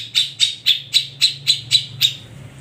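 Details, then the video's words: Long-tailed shrike (cendet) singing in ombyokan fashion: eight sharp, high, scratchy notes at an even pace of about three per second, with a faint low hum underneath. "Kicau Cendet Ombyok'an"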